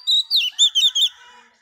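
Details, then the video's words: Wild-caught female Oriental magpie-robin singing to stimulate males: one short burst of loud, clear whistled notes, a long high whistle, then four quick bouncing slurred notes, ending within about one second. "Choè than mái bổi lên giọng hót kích trống"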